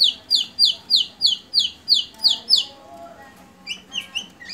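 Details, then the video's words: White-rumped shama of the Medan type, a bowing, energetic singer with a varied fill-in repertoire, delivering eight sharp high descending whistled sweeps in quick succession, then softer lower notes and scattered rising chirps over a faint low hum. "MURAI BATU MEDAN FULL ISIAN SUJUD GACOR || PANCINGAN SUARA MURAI BATU"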